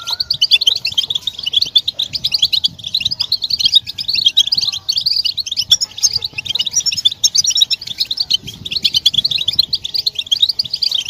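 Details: Continuous chorus of European goldfinch twitters and mating calls, used to stimulate silent males into song; a thick, shimmering mass of rapid high chirps fills the whole stretch.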